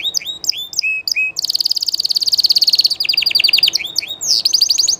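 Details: Live song of a Spanish Llarguet canary: a string of rising whistled slurs gives way to a long, fast rolling trill, then descending trill strokes and more high slurred phrases.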